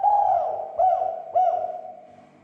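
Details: Spotted dove cooing played to provoke other doves into calling: a hoarse, hollow coo followed by two short rising-falling accented notes, fading out at the end.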